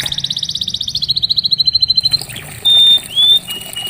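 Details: Canary song meant to bring a quiet canary back into song: a rapid pulsing trill easing into a smooth level warble, followed by two loud pure whistled notes.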